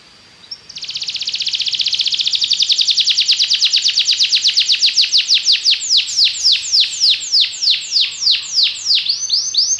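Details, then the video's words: Loud Belgian canary song: after a short quiet start, a fast buzzy trill rolls on and slows into a long series of clear, sharply falling whistles, roughly three per second. "Canário Belga cantando"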